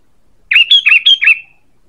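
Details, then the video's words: Sooty-headed bulbul lure call: a single loud, bubbly phrase of four or five rapid, liquid warbled notes lasting about a second, ending in a short fading trail, with a clean quiet background. "Suara PANGGILAN dan pikat ampuh burung KUTILANG"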